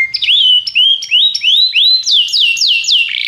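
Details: Training song of a canary: rising whistled slides that start low and climb, repeated roughly three times a second, then a run of fast descending high whistles ending in a short buzzy note.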